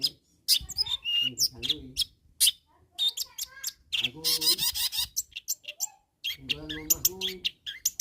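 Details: Long-tailed shrike calling to rivals: a busy, varied chatter of harsh rasps, sharp whistles and buzzy bursts, broken by lower warbled phrases and a brief pause before the chatter resumes.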